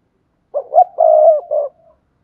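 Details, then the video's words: Coo phrase of a spotted dove, played to encourage other doves to call: two short climbing notes, a long sustained hoot, and a final shorter coo fading off, in a quiet recording. "tiếng cu gáy thúc bổi"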